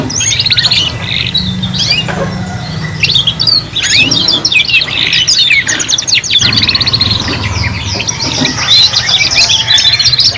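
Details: Juvenile canaries learning to sing as a trio: bright, busy warbled song of rapid chirps, rolling trills and upslurred whistles, voices crowding over one another, steady low hum behind.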